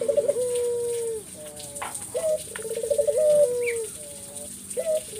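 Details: Spotted dove giving 'gacor' song as bait for other doves to answer; mellow low phrases of a quavering trill ending in a long drawn coo, several in succession, with a brief high chirp from another bird.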